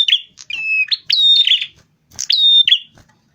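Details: Lure recording of a rufous-fronted prinia singing vigorously, used to attract birds: two loud, buzzy, harmonic-rich phrases mixing flat sustained whistles and rasping notes, separated by a brief silence.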